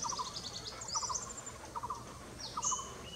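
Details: Blue-throated barbet at Nam Nao giving short rolling groups of low pulsed notes, about one group per second, partly masked by thin high whistles and chirps from other birds.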